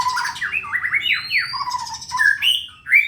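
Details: Contest-ready caged white-rumped shama singing fast, loud slurred whistles rising and falling, a thin high sweep, then bright upward notes.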